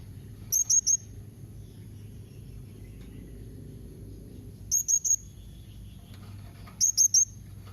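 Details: Blue-crowned hanging parrot calling in the sharp 'nembak' style used to make another bird answer: three clipped, very high, squeaky notes, repeated about every two to three seconds in neat triplets.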